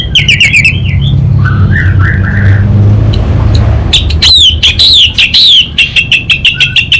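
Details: Orange-headed thrush from Singaraja, North Bali, singing loudly: short chattering and sliding whistled phrases, a pause filled with low rumbling noise, then a fast run of sharp, repeated, downslurred whistles.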